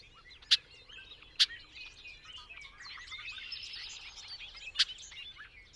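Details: Bobolink singing a dense, burbling tangle of twangy, metallic notes, cut through by three loud, sharp click-like notes, with a low steady background rumble.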